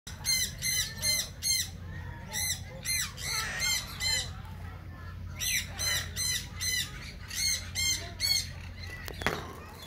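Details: Meyer's parrot (Poicephalus meyeri) at a parrot farm in Kfar Hess giving harsh, grating squawks in bursts of four or five, about two per second, with a low hum in the background.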